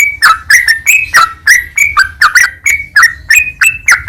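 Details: Sooty-headed bulbul singing on a master track used to coax other bulbuls into song: quick repeated chirpy notes that dip and rise, roughly three each second, over a faint low rumble.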